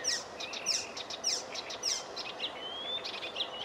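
Icterine warbler delivers a fast, varied medley of high chirps, squeaky notes and a drawn-out rising whistle, phrases tumbling about twice a second over steady background noise.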